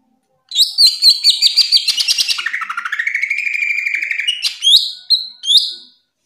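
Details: Cucak ijo (greater green leafbird) delivering lively ngerplong song for training and therapy of kept birds, a continuous run of quick repeated whistled notes sliding gradually downward, then ending in a few sharp rising chirps.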